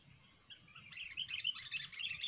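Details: Sooty-headed bulbul, described as fierce and highly vocal, recorded for use as a trapping lure: near silence for the first second, then a dense, lively burst of bright, rapid chattering chirps continuing to the end.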